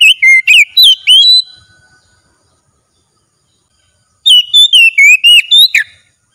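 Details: Oriental magpie-robin in daily training, singing at full strength: a burst of quick slurred whistles, a silence of about three seconds, then another rapid volley of varied whistled notes ending with a sharp note.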